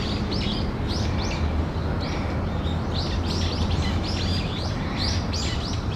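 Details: Brown-eared bulbul calling around 13:25 on 14 October 2015, in what is described as an earthquake-warning call: a run of shrill, arched notes repeated in quick succession over a steady low rumble of environmental and traffic noise.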